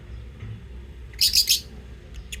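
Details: Pet lovebirds chirping: a quick burst of three sharp, high-pitched chirps, followed by a couple of faint, brief ticks over a quiet room hum.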